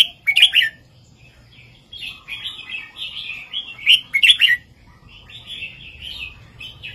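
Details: Red-whiskered bulbul singing a southern-style 3-4-5 master song to make caged birds lively. Two loud, crackling, chattery outbursts alternate with long, flowing, whistled warbles, and a fainter low note sounds below.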